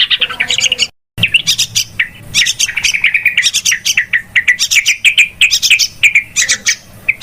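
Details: Yellow-vented bulbul, noisy calls meant to attract birds for trapping: a lively tumble of quick chirps and warbled phrases, broken by a sudden brief silence early on, then a long continuous rapid chatter.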